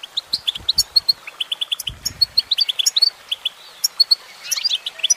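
A goldfinch sings a fast, tinkling twitter of high, bright notes in quick bursts, with a few soft low thumps in the background.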